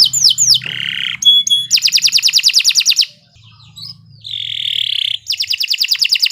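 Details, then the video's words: Canary giving a lure song meant to stimulate other canaries: falling whistles, a rasping phrase, a fast even trill of repeated notes, a short quiet gap, then a softer buzz and another quick trill. "Kicau Burung Kenari 114 II GACOR PANJANG Cocok untuk Masteran"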